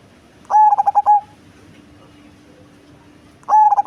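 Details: Large-bodied cemani zebra dove with a big, bassy voice, giving two cooing phrases about three seconds apart. Each is a rapid run of throbbing notes that merges into a sustained coo, with a faint low hum between.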